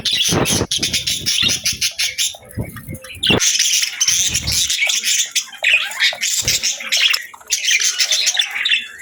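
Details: Several budgerigars (Melopsittacus undulatus), kept as pets, keep up a dense, busy warble of scratchy chirps, squawks and rapid twittering, chattering over one another almost without pause.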